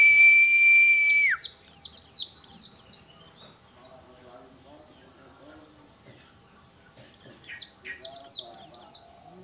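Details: Oriental white-eye, local dakun type, singing hard: a steady whistle-like tone at the start under quick high falling chirps, a lone note midway, then a final burst of rapid bright descending notes.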